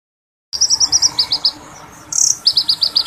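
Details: Oriental magpie-robin in full song, delivering long sharp rolling phrases of learned fill-in notes. After half a second of silence comes a fast series of high chirped notes, a brief harsh burst, then more rapid repeated chirps.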